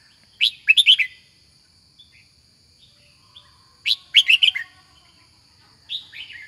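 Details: Kept red-whiskered bulbul singing two clear phrases of three or four quick, rich warbled notes about three seconds apart, then a shorter falling phrase, with a faint steady high tone throughout.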